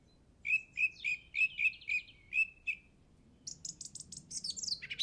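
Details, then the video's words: Spring song recorded on Easter Saturday 2007 at a local golf course in England: eight clear, evenly repeated notes, followed by a fast, high, chattering series. "Bird Song From Jolly Old England"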